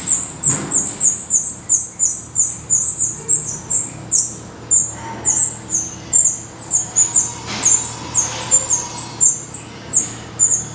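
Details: Long sequence of sharp, high-pitched squeaks at a black redstart nest in Portugal, repeated quickly and almost continuously, with occasional faint knocks.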